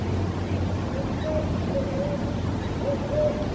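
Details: Barred owl (Strix varia) calling nearby to a calling Cooper's hawk: a short series of about five low, rhythmic hoots in quick succession over a steady low rumble.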